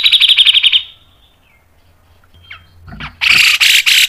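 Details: Grey-cheeked bulbul giving a quick run of about nine bright, evenly spaced chirps, then near silence, then harsh, loud buzzy bursts in its fast training song.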